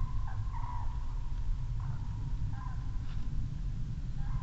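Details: Common cranes flying over in Estonia on 18 October 2015, picked up by a red deer webcam; several short trumpeting calls ring out in bursts over a steady low rumble of background noise.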